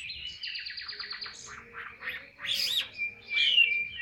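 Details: Chinese hwamei, a caged bird, delivers ngũ trường cao cầu song: a fast train of repeated buzzy notes, then scattered chirps and a bright looping whistle, with a faint low hum beneath.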